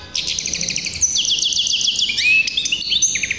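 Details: Tuffahi-type hybrid canary singing loudly in 2023: rapid repeated trilled notes, then a long sustained high rolling phrase, followed by lower slurred whistles and a quick trill at the end.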